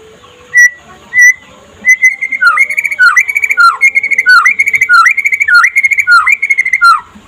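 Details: Trotol white-rumped shama in daytime song to set off other shamas: two isolated clear whistles, then a lively string of looping phrases, high whistled notes dipping and swinging back up, repeated roughly every half second with a faint low hum beneath.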